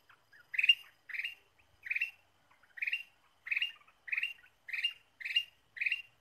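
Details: Ruby-throated bulbul song played as a trapping lure: short, harsh chirped phrases repeated about every 0.6 seconds, nine in a row, each a burst of dense bright notes, on a quiet background with no other sounds.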